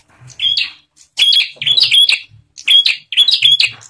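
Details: Bar-winged prinia in lively song, used as a lure to prompt other prinias to call, gives loud, high, sharply buzzing chattering phrases in bursts about every second, with brief pauses and background music.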